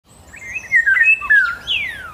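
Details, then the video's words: A Common Blackbird sings a short run of warbled, fluting whistles that glide up and down, ending in a thin, high, descending squeak. "Vogelstimme: Amsel"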